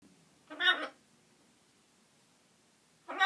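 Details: A talking macaw says some unpleasant words: two short, hoarse, voice-like utterances about two and a half seconds apart, the second cut off at the end, in a quiet room.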